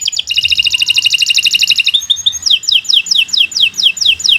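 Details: Canary delivering an extended tutor song: a steady, fast stuttering trill of double notes, a quick chirp, then evenly spaced downward-sliding whistles repeated about three times a second.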